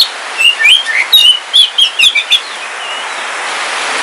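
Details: Caged Kalimantan black oriental magpie-robin (kacer wulung) kept as a house bird, singing on a rainy day: a quick run of loud, clear whistled notes sliding up and down, then steady rain hiss.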